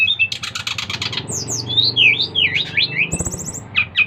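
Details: In July 2024 a five-month-old brown-chested jungle flycatcher from Bali sings to draw other birds into song: rapid buzzy repeated notes, then wavering high whistled slurs, over a low droning hum.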